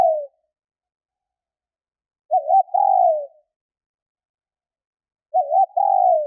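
A female spotted dove gives a low, soft phrase: a quick stuttered note and then a longer, slightly falling coo. It repeats about every three seconds, with silence between.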